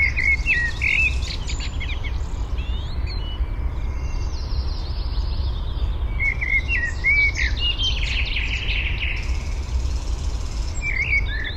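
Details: Nest-building Eurasian penduline tit gathering material for its ring of a nest high in a birch, Fysingen, Uppland, Sweden, parabolic microphone; bursts of high chirps and short trills recurring several times amid low wind noise.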